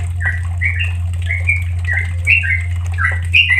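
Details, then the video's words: Short stretch of Sooty-headed bulbul 'ropel santai' song meant for tutoring caged birds: brisk, liquid slurred notes about once a second, paired and overlapping, over a loud steady low hum. "Suara Trucukan Bikin Cepat Ropel, Trucukan ropel santai paling WAJIB untuk masteran burung trucuk"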